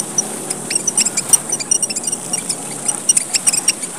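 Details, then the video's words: Red munia, described as one of the smallest birds in Papua, Indonesia, giving a lure call: thin, very high squeaky chirps and ticks scattered irregularly, some in quick pairs, over a soft steady hiss. "suara gocar, burung emprit merah papua / suara burung pipit / suara pemikat & pancingan gocar"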